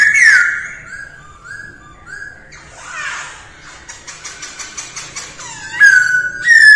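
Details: Masked laughingthrush singing during early-morning voice training: loud descending whistled slurs, a run of short falling notes, then a buzzy harsh burst and more bright downslurred whistles at the end.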